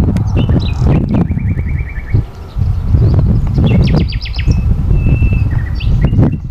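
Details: Common nightingale singing in a forest in Sithonia, Greece, on 22 April 2018: a fast series of repeated identical notes, then scattered chirps and a short pure tone, over strong low rumbling wind noise.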